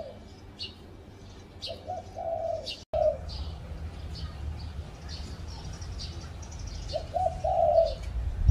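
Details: Spotted dove perched on a tree at a home, recorded live: two low, soft cooing phrases of a few notes each, one early and one near the end, over steady broad background noise and faint high chirps.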